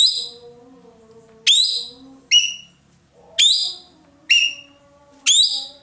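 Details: Loud-voiced ekek keling roller from Indonesia giving six piercing, upswept cries about a second apart, over soft lower whistled tones and faint background sounds.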